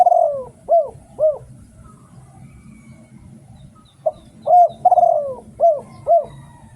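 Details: Cooing of a spotted dove in Thailand, a 'tor' decoy song for drawing in wild doves: a drawn-out falling coo followed by two quick hooted loops, then a similar phrase after a short silence, low background hum.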